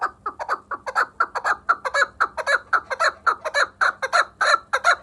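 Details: Chukar partridge from Vanj, Tajikistan, giving a fast, steady run of harsh, clucking chuck notes, about four per second, each a short burst, continuing without a break through the whole stretch against a quiet background.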